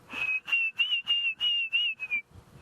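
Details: A Diederik cuckoo calling far away at sunrise on safari, 7 December 2016, near a reserve's far eastern boundary: a quick run of about seven clear, high, evenly spaced whistled notes, the last slurring downward, over a faint low rumble.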